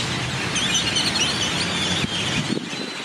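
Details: Yellow-headed blackbirds in a wintering superflock arriving at dusk to roost in the central plaza of Delicias, Chihuahua, Mexico, 27 January 2017; dense overlapping squeaky, whistled calls from many birds at once, with a low rumble of traffic beneath.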